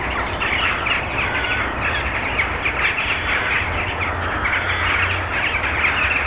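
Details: A winter pre-roost of mainly rooks, with jackdaws, gathered in treetops before going to the final roost, recorded from about 400 m: a dense chorus of harsh, overlapping caws without pause over a steady low rumble of distant traffic.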